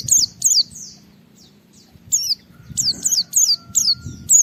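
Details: Japanese white-eye (pleci) singing to challenge a rival and set other white-eyes singing; separate high descending whistled notes, a quiet gap, then a quicker run of shrill downslurs.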